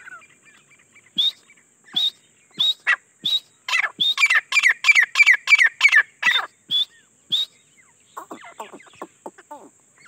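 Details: Grey francolin, the jangali teetar, in full voice: soft notes swell into a fast, insistent chain of shrill, ringing phrases that speed up mid-series, then slow and fade into quiet chatter, over a constant hum.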